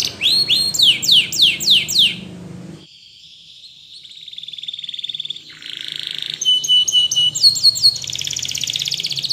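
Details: Spanish Timbrado canary song as training for other canaries: quick descending chirps repeated in a series, a quiet gap, then steady buzzy rolls, a lower trill, and high ringing looped notes to finish.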